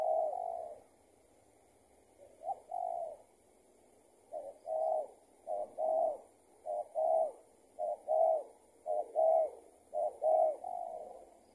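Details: Spotted dove, a loose tethered decoy, calling in reply to a decoy during trapping. A long coo opens, then after a pause a run of evenly spaced two-note coos, short note and longer purr, about one per second.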